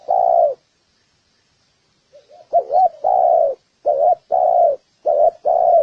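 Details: Spotted dove giving fighting-provoking coos: one long mellow coo, a pause with faint rising notes, then a rapid run of paired low coos, short then long, in a quiet room-like setting.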